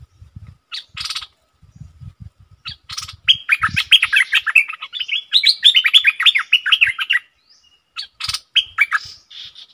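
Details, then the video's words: Bulbul used as a decoy, calling and chattering at wild birds: a long, fast stream of bright whistled notes rising and falling, with rasping bursts before and after and soft low knocks underneath. "เสียงนกดอกแตงEp.58Birds soundsรวมคลิป นกต่อ ร้อง&ริก!!!ใส่นกป่า merbah lekir gacor"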